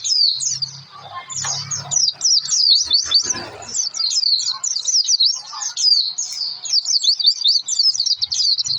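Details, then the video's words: Oriental white-eye lure song for stimulating other birds to sing: a long, lively chatter of high, quick zig-zag chirps in near-continuous bursts, with brief pauses and faint low hum in the background. "pleci gacor pancingan suara pleci"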